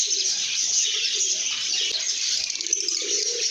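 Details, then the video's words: Lovebirds singing and chirping in a happy, good mood: a dense, unbroken wall of high twittering and chirps throughout, with low cooing notes pulsing underneath. "lovebirds make happy sounds"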